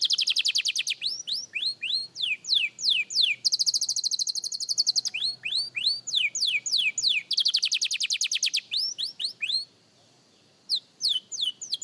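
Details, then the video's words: A young canary practising song, surprisingly skilled for a beginner, alternates runs of sweeping downslurred whistles with fast buzzy rolls, switching phrases every few seconds, with a short pause near the end before resuming. "Young Canary Singing Practice – Surprisingly Good for a Beginner!"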